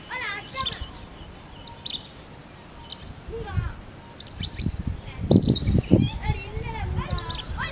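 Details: A male Indian robin in Tirunelveli, India, gives bursts of high, sharp chirps and short whistled notes every second or two, over low thumping background noise and what sound like people talking.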